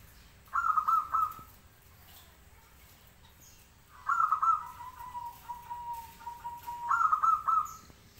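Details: Local-type zebra dove singing: three short phrases of rapid, rolling, pulsed coos at about 0.5, 4 and 7 seconds, with a steady whistle-like tone between the last two phrases and a faint low background hum.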